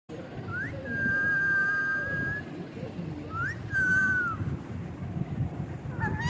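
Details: Indian ringneck parrot whistling: clear, sustained level whistles preceded by short rising slides, a second whistle bending downward, over steady broadband background noise.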